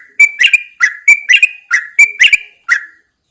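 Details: Yellow-vented Bulbul kept in a cage and placed outdoors in the morning: cheerful rapid chatter of sharp-edged, slurred whistles in short doublets, about eight phrases before falling quiet.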